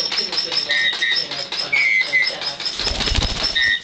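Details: A male Meyer's parrot attacking his stuffed toy bird, ripping its fur out, gives short, squeaky, high-pitched chirps in quick bursts, with thumps and rustling midway.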